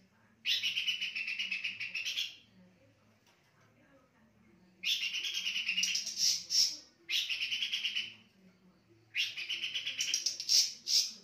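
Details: A pin-striped tit-babbler singing at night gives dense, rapid chattering bursts, each about two seconds long, with short pauses.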